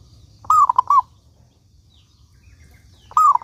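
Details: Frequently singing local zebra dove, used to lure other doves into song: one full phrase of a slurred descending coo and two short notes, then another phrase beginning near the end; faint low background hum.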